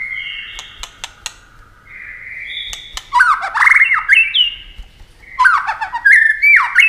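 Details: Competitive white-rumped shama song: a few steady whistled notes with clicks, then an energetic burst of tumbling, slurred whistles and harsh chatter.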